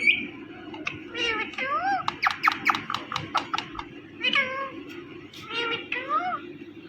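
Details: A pet Indian ringneck parakeet makes mating sounds and talks, repeating 'mitthu' and 'meow': nasal, wavering notes that rise and fall, with a burst of rapid sharp chattering clicks midway, over a low hum.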